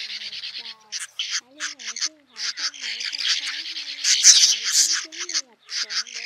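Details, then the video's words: Roosting call of male and female swiftlets gathering the flock, played as a trapping lure: choppy high buzzy chatter in short clusters, building to a louder stretch near the end, with soft low whistled slurs beneath. "Tiếng Én Mốc , Nhạn Nâu Xám Gọi Bầy Ru Ngủ Lùm , Trống Mái Kêu"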